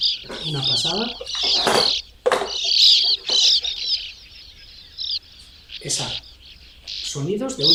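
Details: Sand martins at a natural breeding colony in burrows dug in a sandy riverbank give dense, dry, buzzy twittering from many birds at once. A man's voice talks over the chatter at the start and near the end.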